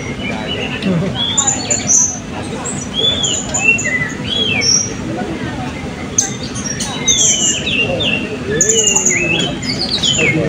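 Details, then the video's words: Competing blue-crowned hanging parrots, class B, 2024 open birdsong voice and style event at Balingian: a long spell of high thin whistles, slurred squeaks and short chirps from several birds, with crowd murmur throughout. "Burung Serindit B - Pertandingan Seni Suara dan Gaya Burung Berkicau Terbuka 2024 Balingian"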